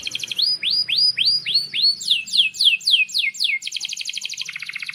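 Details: Canary singing in a long, lively song used as a master recording to teach young canaries to sing: a series of downward-sweeping whistled notes repeated about four per second, then rising slurred notes and a fast buzzy trill at the end.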